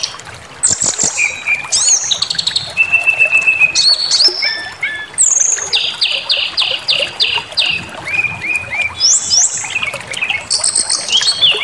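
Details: Bait recording of white-rumped shama song to provoke aggressive singing: a long varied medley of rapid trills, level whistles, stuttered repeated notes and high buzzy phrases, nearly continuous for over ten seconds.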